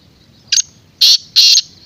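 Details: Black francolin calling: harsh, grating high-pitched bursts in quick succession, each loud note broad and scratchy, over a quiet background.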